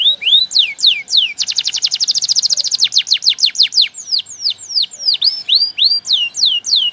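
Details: Male canary song used to tutor young birds. Rising whistled notes lead into a fast, dense trill. The trill slows into separate descending sweeps, then ends in looping V-shaped notes.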